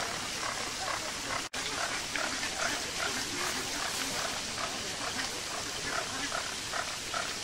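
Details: A crowd of zoo flamingos in the UK keeps up a busy babble of short, nasal, goose-like honks, roughly two to three per second, against steady splashing from a nearby fountain.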